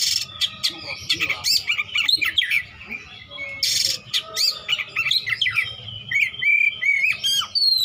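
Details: Oriental magpie-robin singing besetan with lavish mimicry: dense run of whistled downslurs, chips and harsh rasping bursts, pausing briefly, then resuming in a rapid varied stream.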